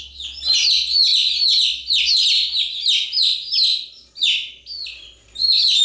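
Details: Young chickens peeping nonstop: high, sharp, falling chirps tumble over one another in clustered runs, briefly thinning before the fourth second, then surging again; no other sounds stand out.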